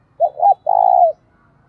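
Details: Decoy spotted dove calling to incite fighting: a three-part phrase of two brief low coos and a long, evenly pulsing drawn-out coo, clean with little background.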